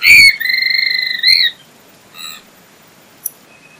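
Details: Swainson's flycatcher (Myiarchus swainsoni) giving a long, slightly burry, level whistled note that lifts at the end, followed by a brief, softer reedy note.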